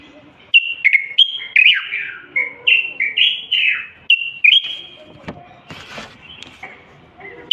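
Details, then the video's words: Common bulbul of Moroccan stock in nonstop song, played to spur silent young males into singing; a run of rich fluty whistled phrases, some rising, some dropping, about two per second, then a few scratchy noise bursts and a final whistle. "البلبل القافل سيغرد لسماع هذا الصوت المبدع روعة الألحان."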